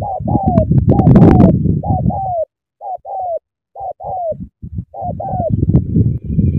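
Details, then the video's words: Spotted dove of Cà Mau, Vietnam, in an intense cooing bout: rapid repeated short coos, slightly downslurred, about three per second at first, then spaced pairs, over heavy low rumble. "Sắm thổ quá hăng hàng gù tuyệt vời"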